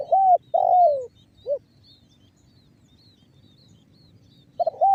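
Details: Lure recording of a spotted dove in the banggo bocor style, played to make other doves call: a stuttering coo, a long sliding coo and a brief end note, then silence before the next phrase begins.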